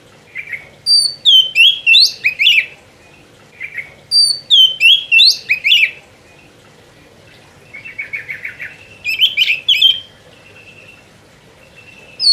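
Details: Oriental magpie-robin in full continuous song; bursts of loud, sweet whistles and sharp rising and falling notes in rapid phrases, a buzzy rattling passage near the middle, brief pauses between phrases.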